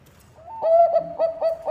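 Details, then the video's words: Bangkok zebra dove singing eagerly, a lure recording: a short rising note leads into a loud held coo, followed by three quick clipped coos. "Perkutut bangkok gacor suara cocok untuk pancingan"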